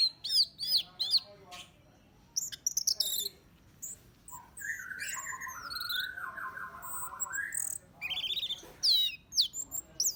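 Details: Orange-headed thrush song used as a lure to provoke other birds: a varied run of high whistled and trilled phrases, sharp upslurred notes and rolling lower warbles, given in bursts with short pauses.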